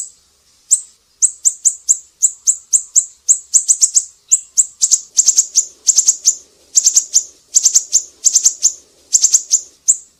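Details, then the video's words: High, sharp siri-siri chips, meant for training cucak ijo, murai batu and kacer, come in a lively near-continuous series, often doubled or tripled, growing busier toward the end. "Masteran burung siri-siri GACOR"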